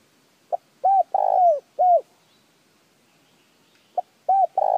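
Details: Spotted dove call meant to get decoy birds calling: one full phrase of a brief opening note, a mellow coo, a longer burred coo sliding down, and a last falling coo. A second phrase starts near the end.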